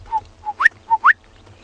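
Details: Gorgeous Bushshrike on a sunrise safari, 9 July 2020, giving its distinctive call, often heard in this area but seldom seen: quick, liquid whistles, short level hoots alternating with sharply upswept notes, roughly five notes in just over a second, over a faint low hum.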